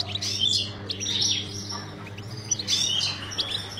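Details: Breeding-cage European goldfinch uttering short bursts of high, scratchy twitters separated by brief gaps, over a steady low hum.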